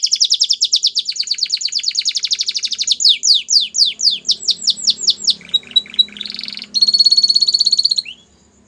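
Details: Belgian canary song for coaxing canaries back into song: a fast rolling trill, then repeated clear descending sweeps, a brief choppy section and a bright high trill, with faint low background hum.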